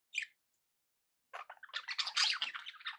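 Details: Pet budgerigars indoors, played to keep other parakeets company: a short high chirp, a second's pause, then a dense run of scratchy warbling chatter and squawky notes mixed with clicks.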